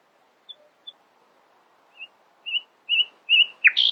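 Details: A nightingale sings at dawn: two thin high pips, a pause, then slurred whistled notes swelling louder and closer together, finished by a sharp upward-sweeping flourish and a buzzy high note.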